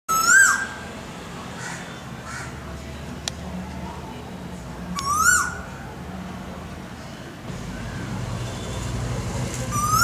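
A male Asian koel gives loud, rising 'ko-el' notes about every five seconds, ringing and slightly harsh. A low background hum runs throughout.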